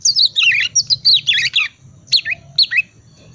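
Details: Oriental magpie-robin ngriwik twitter used to prompt silent magpie-robins to sing: a rapid tumble of descending squeaky whistles and chatter, then two separate short down-slurred notes.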